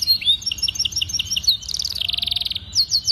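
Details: Master canary song with special phrasing, meant for training young birds to sing: a string of short whistled notes, then a fast pulsing rolled trill, ending in sharp sweeping chirps.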